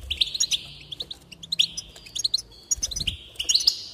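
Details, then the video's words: Goldfinch song of quick sparkling twitters and repeated bright chips, several short phrases in four seconds, with faint low thumps behind. The song is played to encourage other goldfinches to sing. "increase the enthusiasm of the goldfinch and encourage it to song"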